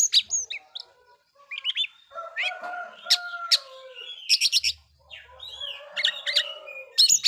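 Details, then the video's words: Oriental magpie-robin song intended to provoke other magpie-robins, with varied whistles, short chatter bursts and a sustained lower tonal note in the middle. "Suara burung kacer bikin emosi kacer lain"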